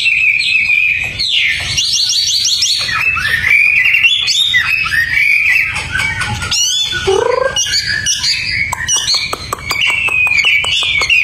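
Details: Long, varied outpouring from a tame Hwamei outdoors: rapid trills, twisting warbles and slurred whistles run together without pause, including a sharp dip and a burst of quick clicks near the end.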